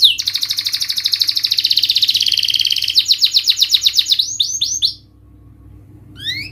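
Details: Canary singing to prompt a lazy, non-singing bird: a long, even, rapidly pulsing trill, shifting into slower repeated chirps and sweeps, then a brief pause before a final rising whistle; soft background hum.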